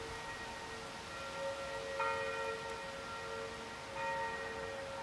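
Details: Ringing church bells over a soft background hiss, with no animal calls.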